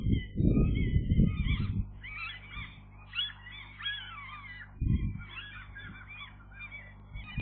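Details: Gull chicks on the day they first fly properly, several harsh, wavering calls with rising and falling squeals in bursts, interrupted by loud low thumps and rumbling noise.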